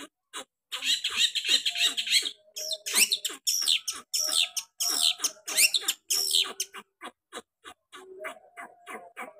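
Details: A long-tailed shrike sings in lively form, delivering sharp 'tembakan' variations as a dense run of grating, buzzy chatter broken by quick clipped notes.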